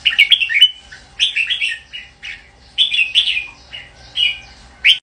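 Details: Red-whiskered bulbul delivering repeated chirpy, liquid phrases about a second apart, each a quick cluster of rising and falling whistles, ending with a sharp high note.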